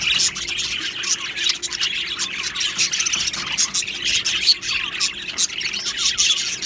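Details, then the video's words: Many Australian budgies chirping in an aviary colony, a lively, unbroken mix of high twittering, short squeaks and scratchy warbles with frequent sharp accents. "Australian Budgie birds Chirping Sounds"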